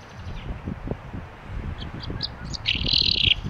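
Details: Common chaffinch in Turkey, filmed with a Fujifilm X-T3 camera: a few short high notes, then a brief buzzy, rattling burst in the last half-second, over low rumbling background noise.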